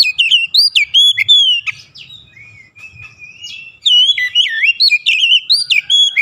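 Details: Oriental magpie-robin song played to coax other kacer into singing; energetic, varied whistled phrases with swooping slurs, a short lull of quieter notes, then a second vigorous burst of chattering whistles.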